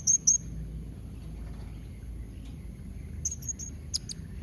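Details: Two sharp, very high chips, then after a pause a quick series of three thin squeaks and two clicky notes, a blue-crowned hanging parrot calling so that others will respond; faint background hiss.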